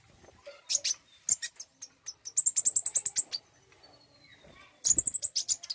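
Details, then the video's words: Common iora song used to encourage singing: scattered high chips build into a rapid, very high trilled run, followed by a pause and another brief burst near the end. "pancingan bunyi burung konin"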